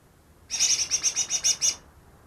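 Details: Newly caught greater green leafbird, believed able to copy ten other bird species, delivers a short burst of about nine rapid, ringing high notes lasting just over a second against a quiet background.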